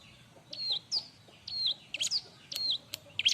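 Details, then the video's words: Bar-winged prinia in noisy, crowded song for training other birds: short high notes that dip in pitch, repeated about every half second, over a low background hum. "suara r!but burung ciblek-cocok untuk masteran"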